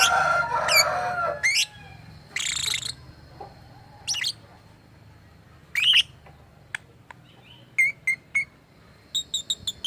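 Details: Pet lovebird, described as sounding strange and copying human voices, opens with a loud, dense, rasping burst. Scattered chirps and squawks follow, ending in quick, repeated high ticking notes.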